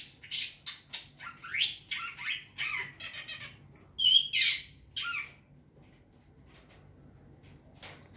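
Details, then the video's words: Harsh, rasping squawks and chattering notes from a young wild long-tailed shrike, quick and uneven at first, then a ringing whistled note and a fading, quieter end. "Pancingan burung cendet muda hutan"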